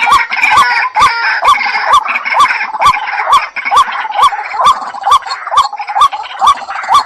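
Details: Lure recording of a white-breasted waterhen. A hooked, rising-then-falling note returns about twice each second, very regular throughout, with loud clicking pulses and a busy band of higher overlapping calls.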